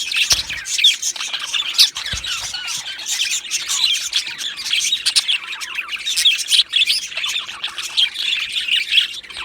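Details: Male budgerigars, two of them, warbling and twittering in a dense overlapping jumble of high chirps and squawks, barely pausing throughout.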